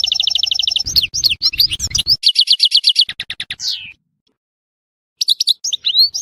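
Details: European goldfinch of Tissemsilt singing fast trills and chattering twitters over a faint low rumble, then a falling slurred note, silence, and a final burst of high chirps.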